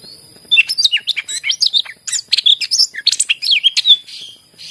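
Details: Greater green leafbird (cucak ijo) in full song, played to prompt quiet leafbirds to sing: a fast, varied run of rising and falling whistled phrases and chirps, steadily delivered for several seconds.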